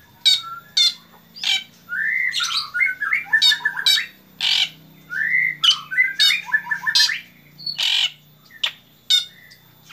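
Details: Vigorous black drongo song at dawn-time: rasping, squawky bursts interleaved with rising whistled slurs and rapid stuttering note runs, repeated in two similar phrases, over a low steady background hum.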